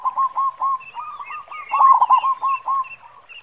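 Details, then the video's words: Local-strain zebra dove (perkutut) singing actively with a big 'khong' voice, the kind used to prompt other doves to sing: rapid rolling series of low, soft coos, about four per second, evenly paced in bursts, with no other clear sounds. "Perkutut Lokal Gacor Suara Khong besar"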